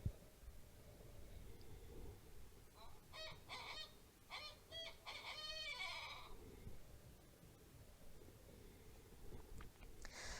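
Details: Barred Owl giving its "who cooks for you, who cooks for you all" call, a rhythmic series of loud, hoarse hoots ending in a drawn-out falling note, over a steady low rumble; species of forest near water.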